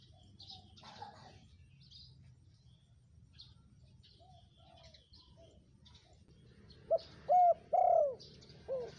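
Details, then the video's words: Spotted dove, a male used to draw in wild birds: after several quiet seconds of distant high chirping, a quick run of four or five low, husky coos ends the recording. "SUARA TEKUKUR GACOR,PALING AMPUH"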